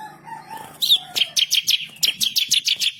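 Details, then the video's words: Fierce, persistent ciblek kristal, or bar-winged prinia, master song with rolling trills and sharp shots. A soft lower warble opens, then a rapid, regular series of high, sharp chirps follows. "burung MASTERAN ciblek kristal gacor // ngamuk ngotot ngerol nembak pedas"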